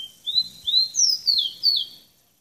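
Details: A tropical bird sings a run of five clear, sweeping whistles, each slurring up then down, the later ones pitched higher, with faint low clicks and rustles underneath.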